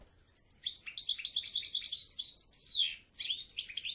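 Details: European goldfinch song: a rapid run of bright twittering notes climbing into a loud downslurred whistle, a brief pause, then more tinkling chatter.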